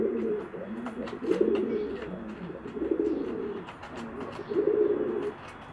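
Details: Male pigeon courting and trying to persuade a female to mate for the first time: deep, throaty rolling coos in bursts of about a second, repeated with short pauses, with light tapping and rustling behind.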